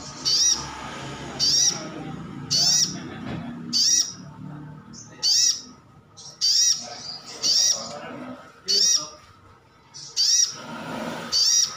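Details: Captive 'ngalas' brown-throated sunbird giving lure calls meant to make other birds respond: about ten piercing high chirps in steady succession, roughly one per second, over a quiet room-like background.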